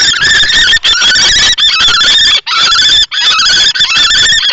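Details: Common kestrels fighting inside a nest box at Théding, France, on 20 March 2024: an adult male confronts a young male in juvenile plumage, with a female present. Harsh, grating screeches run almost unbroken, broken only by a few brief pauses.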